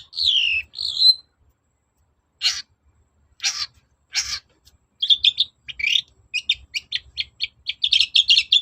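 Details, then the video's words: Long-tailed shrike song used to lure others into replying: two slurred descending whistles, three widely spaced harsh rasps, then a quickening, dense chatter of short, varied high notes. "BURUNG CENDET GACOR NGOTOT || pancingan cendet agar nyaut gacor"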